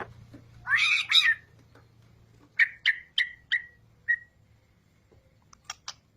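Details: White-rumped shama song used to prompt birds to sing. A rough, rasping burst opens, then five short whistled notes at an even pitch. Faint high ticks close the phrase.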